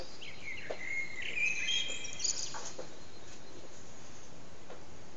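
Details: Common blackbird morning song in a backyard: a mellow whistled phrase around mid pitch, sliding and warbling for about two seconds, ending in thin higher notes, over steady low background hiss.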